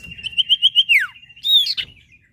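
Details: Lively sirtu bird, sung to prompt other birds to sing: a fast, high, even trill of about six notes ends in a steep downward slur, then a brighter rising and falling phrase.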